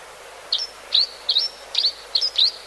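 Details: Grey-hooded sierra finch calling: six short, sharp chirping notes with quick up-slurred twists, spaced about every half second, over a faint, steady background hiss.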